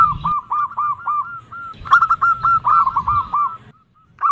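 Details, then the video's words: Zebra dove female calling a male in the nutut style: a brisk chain of short, curved cooing notes, about four per second, fading at the end, with low rumbling noise beneath. "Perkutut Betina memanggil jantan, seperti ini suara NUTUT paling di sukai perkutut"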